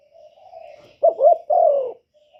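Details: Spotted dove used as a decoy to draw in wild doves. A low, soft hum leads into a loud phrase: a quick bending double note, then a longer coo that slides downward.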